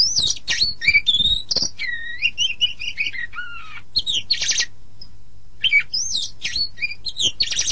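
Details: Oriental magpie-robin master song for caged-bird training: rich sequence of clear whistles, looping phrases and buzzy rattles, a descending series of notes mid-way, a brief pause, then a fast varied burst again.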